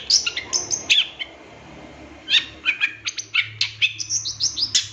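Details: Long-tailed shrike song used as a master recording for training captive birds: rapid bursts of high, sharp chirps and short whistled notes, bunched in quick series with a brief pause in the middle.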